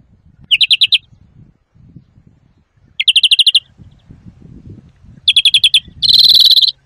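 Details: Greenfinch singing, recorded as a trapping and training call: short rolling trills in separate bursts about every two and a half seconds, ending with a longer buzzy wheeze, with faint low background noise.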